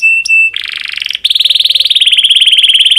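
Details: Domestic canary in breeding condition, song for encouraging other canaries to sing: two short pure whistles, a harsh buzzy roll, then a fast even trill of high pulses.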